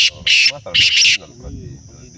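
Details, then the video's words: Black francolin, known locally as Sindhi or black teetar, giving loud harsh grating bursts: three rasping notes in about a second, then quieter low murmuring and a faint human voice. "Kala Ki Awaz Sindhi Teetar Black Teetarvoice/Teetar ki video Teetarvoice Francolinvoice Teetar."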